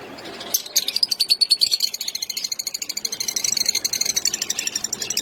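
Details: Caged lutino opaline lovebirds calling: a fast, shrill, chirping chatter of high notes repeated roughly ten times a second, continuous and slightly uneven throughout.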